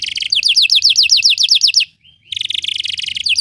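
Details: Belgian canary song meant for training other canaries: a fast run of sweeping downward whistled notes, about four per second, then a short silence and a dense buzzy trill.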